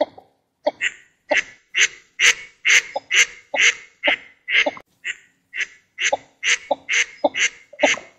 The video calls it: northern shoveler female and male call